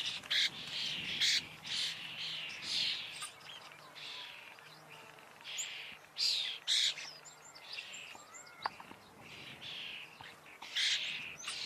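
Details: A common starling gives a long, rambling song of chattering, wheezy and clicking phrases, about two a second at an irregular pace. Thin whistles and a faint low background hum are also present.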